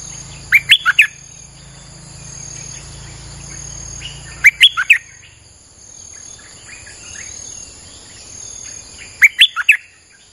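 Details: Streak-eared bulbul singing without pause, used as a lure for wild birds: three short clusters of four sharp, chirpy notes spread across ten seconds, separated by quiet gaps and a thin, constant high-pitched hum.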